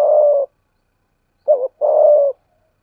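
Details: Spotted dove kept as a lure-training decoy, 'giọng thổ' voice: the tail of a long coo, a silence, then a wavering short coo and a long, even, drawn-out coo.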